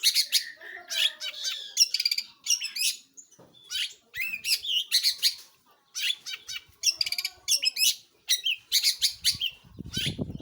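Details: Long-tailed shrike in energetic song, delivering short bursts of harsh, chattering phrases separated by brief pauses, with low rumbling noise at the close.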